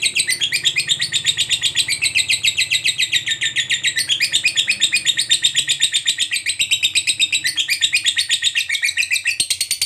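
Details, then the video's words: Long, unbroken ngekek chatter from a fighter lovebird, used to trigger singing in other lovebirds: very rapid, evenly spaced shrill pulses, about four per second, over a faint low hum. "LOVEBIRD FIGHTER NGEKEK PANJANG_TERAPI JITU PANVING LOVEBIRD MACET JADI GACOR RAJIN BUNYI"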